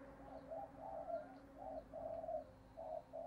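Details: Decoy spotted dove giving repeated coos to provoke wild males. Hollow, low coo syllables pulse in steady groups about twice a second against a faint constant hum.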